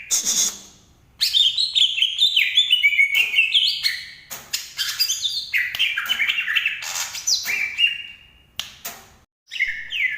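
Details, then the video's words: Green leafbird from Banyuwangi pouring out a long, energetic song of chattering, sliding whistles and quick trills in several dense phrases, with brief gaps between them. "Burung cucak ijo asli Banyuwangi yang paling banyak di cari"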